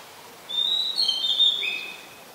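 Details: Single sweet whistled phrase from an Oriental magpie-robin in Ubon Ratchathani, Thailand, recorded 20 September 2022; a sustained clear note followed by a lower, slightly falling tone against a quiet background.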